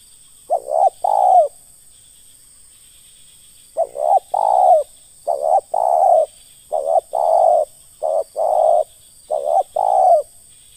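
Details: Spotted dove giving the ngeruk call used in bird-luring: short groups of two or three mellow, hoarse coos in bursts, with pauses of a few seconds, over a steady high electronic whine.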